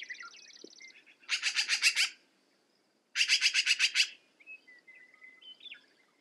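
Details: Black-billed magpie chattering in two loud, rough bursts of rapid notes, with a high buzzy trill before and scattered whistles of other birds after.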